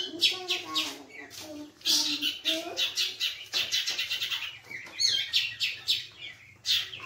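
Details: Long-tailed shrike kept as a pet bird, delivering a dense, varied song of fast chattering notes, rattling trills and squeaky slurred whistles, almost continuous with only short pauses.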